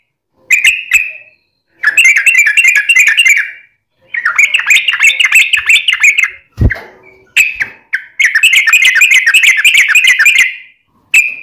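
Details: Yellow-vented bulbul singing hard in long rapid phrases, meant as a lure to draw answers from other bulbuls; repeated bursts of fast, bubbly warbling with short pauses and one brief low thump.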